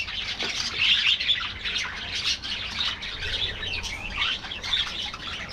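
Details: Colony of budgies kept in an aviary, giving a busy stream of twittering chirps and grating warbled notes, many birds calling at once with a burst of louder squeaky notes near the start.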